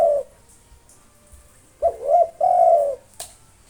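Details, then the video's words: Local spotted dove, a persistent singer played to provoke rival birds, giving low hollow coos around 600 to 700 in pitch: one isolated coo, then a short two-part phrase ending in a long drawn-out coo, with a faint click and hiss behind. "SUARA BURUNG TEKUKUR LOKAL NAFAS PANJANG GACOR NONSTOP MANGGUNG 7 MENIT COCOK UNTUK MANGGIL LAWAN"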